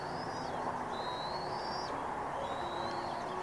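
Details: Bald eagles with three eaglets at a nest at Turtle Bay, Redding, California. Three thin, high, slightly rising whistled calls are heard over a steady loud hiss, with faint low hum-like tones.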